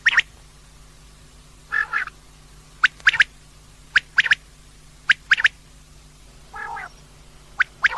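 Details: Female common quail calling at night, used by quail hunters: sharp, high clicking notes, often in quick pairs, with two softer buzzy rasps between them, over a faint steady hum.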